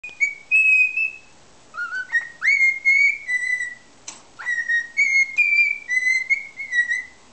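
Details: A pet cockatiel in a good mood, lying in an odd pose showing its belly, whistles a tune it was taught ("Que Sera Sera"): clear, pure notes in short phrases, some sliding upward, with one sharp click partway through.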